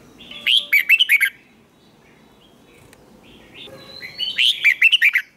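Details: Red-whiskered bulbul in training for song contests, giving two bursts of fast, rolling, slurred whistled notes separated by a quiet pause with faint chirping.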